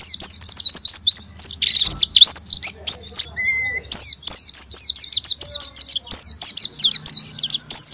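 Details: Continuous rapid twittering of an oriental white-eye, looping high whistles with one short steady lower tone near the middle, played as a lure to get a silent white-eye singing ngalas and nembak.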